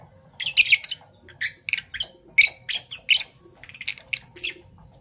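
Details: Two Fischer's lovebirds, a parblue violet and a parblue turquoise, sing in the morning: rapid bursts of high, squeaky chirps in short clusters with brief pauses, lively and busy throughout.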